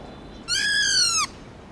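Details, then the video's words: Black-throated laughingthrush from a many-voiced recording meant to stimulate captive birds: one sustained, harmonic-rich note, nearly level then sliding slightly down at the end, against a quiet background. "Khướu bạc má Hót Nhiều Giọng kích trống căng lửa/Luyện khướu bạc má hót giọng rừng cực chuẩn"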